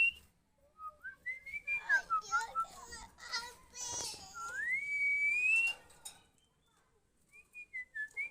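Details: Female Oriental magpie-robin used to train other birds to sing, giving short whistled notes and downslurs, harsher harmonic sounds, then a long smooth whistle rising steadily over about a second. Sparse whistles follow after a pause.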